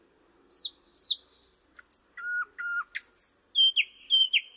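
Thrush nightingale singing: paired high, down-slurred whistles, then low flat piping notes, a sharp click and repeated thin whistles, delivered loud and varied with no other sounds.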